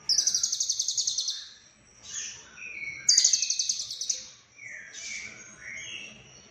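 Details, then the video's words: Lovebird in full song, two rapid rattles of high, scratchy chirps, each followed by softer chattering and squeaky twitters. "Lovebird Konslet Full Isian"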